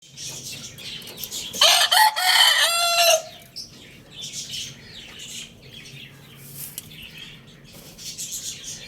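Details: Rooster crowing once, loud and harsh, with a rising then level harmonic-rich cock-a-doodle-doo lasting about a second and a half. Softer bird chirps and rustling follow.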